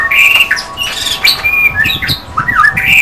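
White-rumped shama pouring out a rich, varied song of clear whistles, slurred notes and harsh chatters in quick succession, over a faint steady electrical hum.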